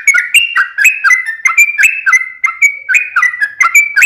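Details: Sooty-headed bulbul pouring out chatty rapid song for luring others to reply: crisp whistled phrases, each a sharp upslur then level note, repeated steadily with little gap.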